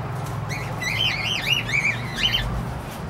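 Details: Cockatiels in a rapid run of wavering, up-and-down squawks, about five linked calls within two seconds, over a low hum.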